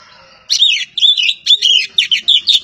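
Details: Java's kacer poci, the Oriental magpie-robin, delivers a brisk series of short warbled whistles, about three to four phrases a second, with no other sounds.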